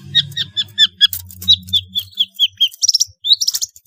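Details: Long-tailed shrike's lively song with variety of fill-in phrases, meant to coax silent shrikes into singing: a run of about a dozen evenly spaced high chip notes, then rapid squeaky trills, over a low background hum.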